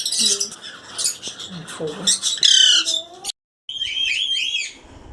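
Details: Loud Alexandrine parakeet squawks: soft chattering notes lead into a strong, grating, harmonic squawk, a brief silence, then a wavering, nasal call lasting about a second.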